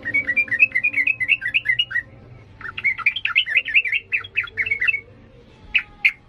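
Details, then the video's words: Sooty-headed bulbul singing energetically in the 'ngalas' style, used to train young birds. Two long chattering runs of quick, up-and-down chirps, then two isolated sharp notes near the end, over a faint low hum. "Trucukan gacor emosi NGALAS"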